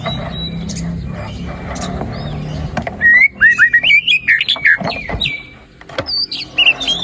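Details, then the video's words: White-rumped shama in energetic 'gacor' song with fill-in phrases: a low hum at first, then a burst of rapid whistled loops and chips, a brief pause, and more high whistles. "PANCINGAN MURAI BATU GACOR ! BONGKAR ISIAN ! NAIKAN MURAI BATU MALAS BUNYI AGAR CEPAT GACOR !"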